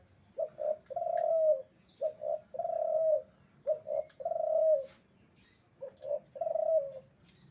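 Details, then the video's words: Breeding-condition male spotted dove repeating its coo phrase four times in about seven seconds, each two short hollow notes leading into a longer falling coo; faint high chirps of other birds in the background. "Suara Burung Derkuku jantan birahi"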